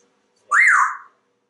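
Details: Male African Grey Parrot, a talkative house pet in Texas hatched in 1997, indoors: one loud half-second whistle that swoops up and then slides down, in an otherwise quiet room.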